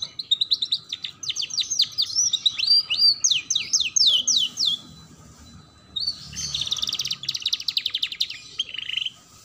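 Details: Canary tutor song for young birds learning to sing: long strings of sharp, rapidly repeated downward-sweeping notes, about three to four per second, a short silence, then a rich warbled trill fading into a lower buzz.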